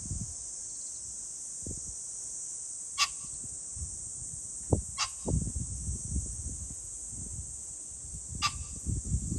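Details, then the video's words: Pheasant, 21 July 2024: three raspy, abrupt calls spread over nine seconds, accompanied by constant high-pitched hiss, low wind noise and a few knocks. "pheasant call ,キジ ,꿩"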